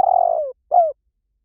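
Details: Spotted dove lure call: a long burry coo that trembles and then drops in pitch, followed after a short pause by a softer, clearer falling coo. No other sounds.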